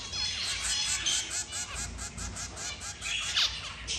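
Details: Three zebra finch chicks being fed by both parents give a rapid, steady series of short nasal, slightly honking notes, about four per second, with higher squeaky accents near the end.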